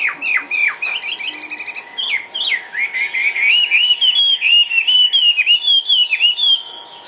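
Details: Caged Chinese hwamei hopping about lively, singing a loud run of clear whistled phrases: sliding notes that dip and rise, then a long wavering series of rapid rising-falling whistles repeated about four per second. A steady low hum sits underneath.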